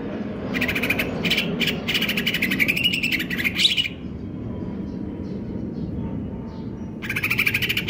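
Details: Greater green leafbird (cucak ijo) in stable condition, singing in the konslet kejer nembak style: rapid buzzy chattering bursts with a rising whistled sweep at the end, and a steady low rumble of background noise throughout.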